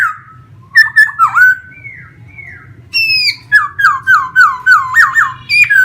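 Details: Caged laughingthrush kept in Vietnam sings during a fanned-out dance display. Scattered whistles and chatters lead into a fast series of about nine sharp, down-slurred notes delivered several per second.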